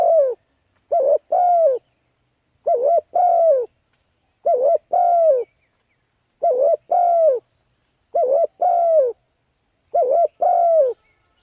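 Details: Lure call of a spotted dove for attracting wild birds: steady series of paired coos, a quick wavering note then a longer descending one, repeated regularly about every one and a half seconds in a quiet setting.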